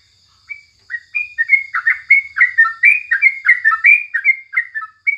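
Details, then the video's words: Sooty-headed bulbul in morning song as a tutor recording: after a brief silence, a steady stream of rapid, bubbly whistled chirps rises in loudness, with a faint high whine in the background. "Masteran paling jitu saat pagi hari #crucukan"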